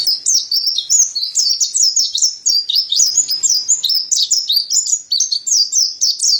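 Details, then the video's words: Mountain white-eye, known locally as pleci dada putih, singing steadily as a tutor recording for training cage birds: rapid, high, thin twittering warble of quick rising and falling slurred notes, continuous throughout with no other sounds. "Terapi Burung Pleci Dada Putih Gacor | Masteran Pleci Montanus"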